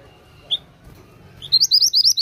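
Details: Oriental magpie-robin singing vigorously: after one isolated high chirp, a fast run of bright upslurred whistled notes, about eight per second, over faint low background hum.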